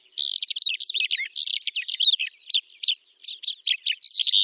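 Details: Calandra lark singing in the Astrakhan steppe of Russia in May 2017: a dense, rapid stream of high chirps, trills and buzzy notes, tumbling without pause, with no other sounds.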